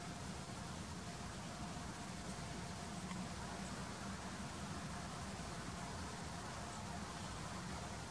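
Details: Broadband traffic-like roar with a low hum throughout and no clear animal calls.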